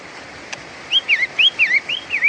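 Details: Long-tailed shrike, the pentet matahari, singing a series of clear whistled notes, each rising then dipping in a wavy slur, about seven in quick succession after a short quiet start.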